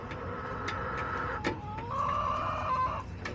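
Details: Backyard chickens, hens clucking and crowing: drawn-out harmonic calls rising and holding steady, several overlapping voices over a low rumble of background noise.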